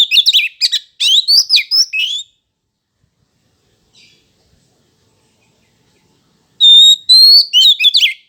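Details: Oriental magpie-robin song played to make caged males respond: two bursts of loud, varied whistles, rising notes and sharp chattering phrases, separated by a long silence.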